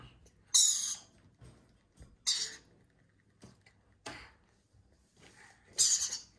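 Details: Growing lorikeet chicks at hand feeding give four harsh, hissing rasps, unevenly spaced over six seconds, with soft clicks and rustles between them.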